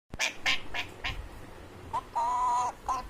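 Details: Pet Alexandrine parakeet mimicking animal sounds: four quick harsh squawk pulses about four per second, then a short chirp, a long steady nasal tone held half a second, and a final brief note.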